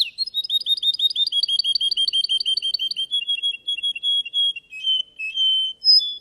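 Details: Singing-contest Russian canary: a long, fast trill of upward-flicked chips about eight per second, easing into softer chattered notes and ending in sustained high whistles.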